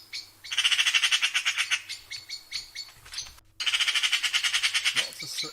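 A Eurasian magpie gives a harsh, rasping chatter of fast rattling notes, about three per second, in two bursts split by a brief pause.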